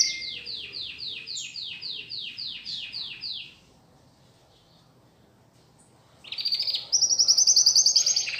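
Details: Pet domestic canary being trained to sing: a trill of about a dozen repeated descending notes, around three per second, then a pause and a louder, very fast, high buzzing trill, over steady room noise.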